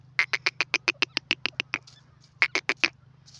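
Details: Quick, evenly paced ticking notes from a female grey francolin, called teetar, run in a long series, pause briefly, then resume, against a low droning hum.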